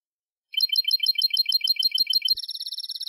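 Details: European goldfinch in Málaga-style song, a teaching recording for young goldfinches: after a short silence, lively chattering twitters run for about two seconds, then switch to a steady rapid high trill.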